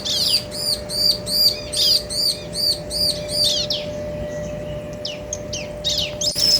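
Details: Bar-winged prinia male and female duetting: a fast, regular string of ringing arched high chirps for about three and a half seconds, then sparse downslurred notes after a pause, over a low hum.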